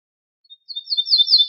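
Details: Ortolan bunting from a compiled wild-bird song tape, known in Morocco as al-bouh al-fassi: faint opening notes followed by a run of repeated high, sliding whistles that grow louder and are cut off before the phrase ends.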